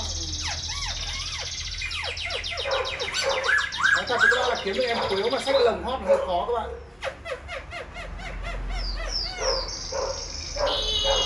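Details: Caged Silver-eared laughingthrush, tame and displaying with fanned tail, delivering a dense, varied song of rapid chattering notes and arched whistled phrases, with a brief pause partway through.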